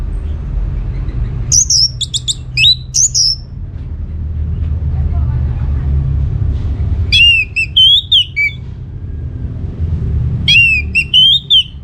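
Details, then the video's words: Orange-headed thrush song played as a lure to make other birds answer: short bursts of clear, high whistled phrases with sweeping and looping notes, separated by pauses, over a steady low rumble. "Putar Kicauan ANIS MERAH Gacor Ini dijamin Pasti Ikut Nyaut"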